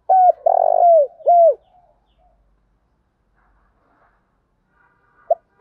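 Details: Spotted dove used as a calling lure for newly caught doves: hollow curved coos around a long, vibrating burry coo, then a few seconds of quiet before the next phrase begins.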